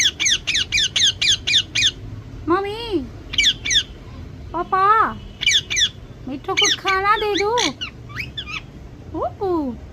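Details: Pet parrot trying to say "mummy papa": a run of quick sharp chirps, then drawn-out falling and wavering speech-like syllables with harmonics, interspersed with short squawks and chirps throughout.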